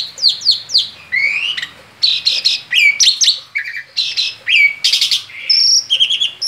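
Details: A male Asian pied starling sings outside its cage: a fast, varied medley of sharp whistles, upslurred notes and scratchy chatter, delivered in quick bursts with brief pauses.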